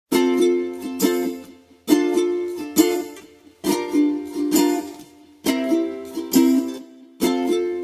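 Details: Ukulele chords strummed in a small room in short bursts about every second, each ringing and fading, with no animal voice heard.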